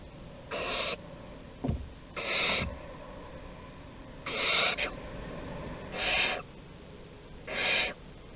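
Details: Exploring a corridor at Théding on 11 August 2020, barn owls give five hoarse, hissing screeches, each roughly half a second long, at irregular intervals, with one faint scrape early on.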